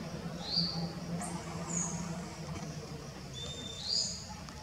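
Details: Female violaceous euphonia (Euphonia violacea) feeding in sunlight in Embu das Artes, São Paulo, Brazil, giving a few thin, high calls, some sliding or rising, spaced about a second apart over a low steady hum.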